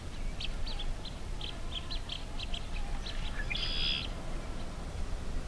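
Blue-winged Teal giving a quick run of thin, high peeping whistles, then a longer buzzy note, over a steady low rumble of wind.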